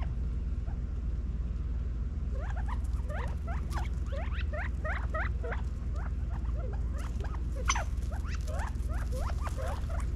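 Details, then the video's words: Feeding California quail in a Las Vegas, Nevada backyard, fall 2022, give a dense run of quick upswept chirps from several birds, overlapping busily for most of the stretch above a constant low hum. "California Quail Feeding in Las Vegas NEVADA FALL 2022 quail sounds"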